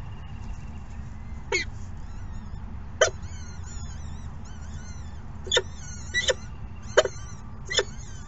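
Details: Falcon chicks at their second morning feeding, giving thin, wavering high whines in a loose series, punctuated by sharp clicks and taps about every second or two over a low background rumble.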